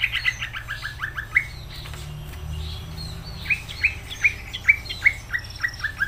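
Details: Greater green leafbird in full song: a long series of short, sharp descending notes repeated rapidly, a brief lull, then another rhythmic run of crisp downward-slurred chirps.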